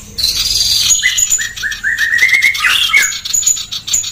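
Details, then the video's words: Female sooty-headed bulbul delivering rapid, dense song: a string of short, bright, upslurred chirps climbing slightly in pitch, with thin high squeaks and a brief scratchy burst mixed in. "masteran burung sirpu betina gacor SPEED RAPAT + KASAR"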